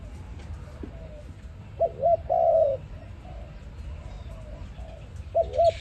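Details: ARIMIX dove, recorded as trap bait, with faint soft coos early, then one clear phrase of two short hooked notes and a long coo, and the start of another near the end.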